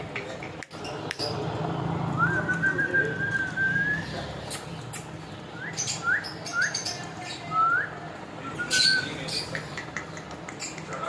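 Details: Talking parrot whistling clearly: one long, level, slightly wavering whistle, then a series of short upswept whistled notes spaced about half a second apart, over low background hum and faint voices.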